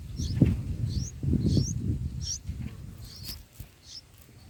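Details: Bulbul chicks begging in the nest on day four of feeding, a run of short, high, upward-sweeping squeaks repeated roughly every half second over low rustling and nest movement.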